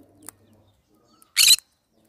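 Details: One loud, grating screech from a pet green-cheeked conure, preceded by a brief faint chirp and low murmuring.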